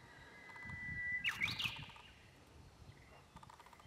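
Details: Japanese bush warbler singing: a long, steady whistled note, then a quick rising-and-falling warbled flourish, over faint low background noise.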